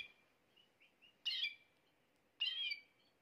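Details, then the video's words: Male canary song meant to make a female canary take the mating posture fast: soft short warbled notes, then two loud harsh rasping phrases about a second apart, each trailing into a thin high whistle. "تغريد كناري يجعل أنثى الكناري تاخد وضعية التلقيح بسرعة"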